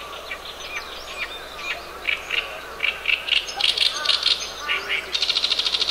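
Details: Oriental reed warbler singing in a harsh, gravelly voice, recorded 10 June 2012: a string of loud, grating chirps repeated about twice a second, ending in a fast buzzy rattle, with faint bird calls behind.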